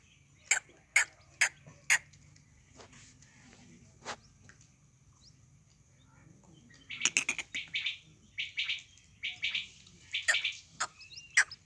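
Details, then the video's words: Calling desi quail: a few sharp clicking notes spaced half a second apart, a pause, then a dense run of buzzy chattering notes and scattered sharp accents. "desi batair ki new awaz"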